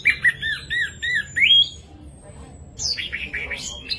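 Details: Orange-headed thrush, sung to set off other thrushes: five repeated arched whistled notes and an upslur, a short quiet gap, then harsh squawky jumbled phrases.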